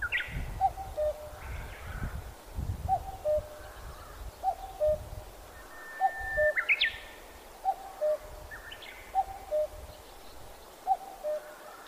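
A cuckoo repeats its falling two-note 'cuck-oo' about every one and a half seconds. Other birds chirp higher up, over a low background rumble.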